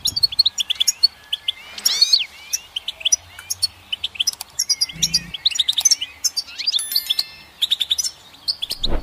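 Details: Goldfinch song: bright, rapid twittering chirps with sliding liquid notes, delivered in bursts with short pauses, plus a few soft low thumps, including one at the very end.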